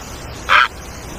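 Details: Great egret, also called great white egret, giving a single short harsh croak against quiet background hiss.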